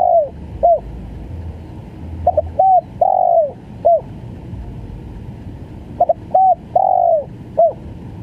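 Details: Spotted dove, called tekukur, calling repeatedly: stuttered double notes, a short coo, a long falling coo and a brief final note, phrases about three and a half seconds apart, with low background rumble.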